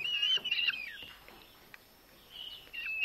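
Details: Eurasian hobby nestling, rescued half-starved with a sibling after drought and heat left food short, fed at a wild bird rescue centre in Dömös: high, squealing calls at the start and end, with a quiet gap between.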